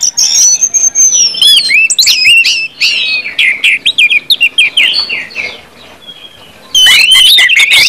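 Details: Orange-headed thrush singing in the 'ngeplong' style meant to spur other birds into song: rapid, varied warbled and whistled notes, a long high slurred whistle at the start, a brief quiet spell, then an energetic burst.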